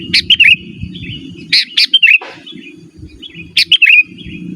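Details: Sooty-headed bulbul song meant for luring wild birds and training caged ones; three phrases of quick sharp notes ending in a twisting warble, about one phrase every one and a half seconds, low hum behind.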